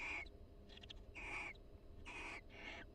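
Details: Mated barn owls in a University of Florida nest box exchange soft calls while grooming each other: four rasping, slightly screechy hisses packed into three seconds.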